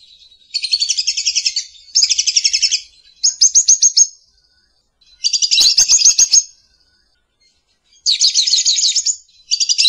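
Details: Lovebird calling in repeated bursts of rapid shrill chattering, each about a second long with short pauses between, about six bursts in all, with faint clicks behind one burst.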